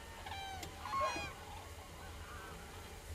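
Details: Common cranes calling: a short, slightly rising trumpeting note near the middle stands out over a few softer, distant calls and low-pitched background noise.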